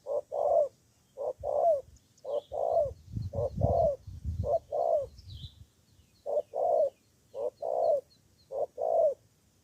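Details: Spotted dove used as a luring decoy in Cà Mau, Vietnam, cooing in a long regular run of paired notes, a quick note then a longer descending one, with brief low rumbling thumps midway and faint distant bird chirps.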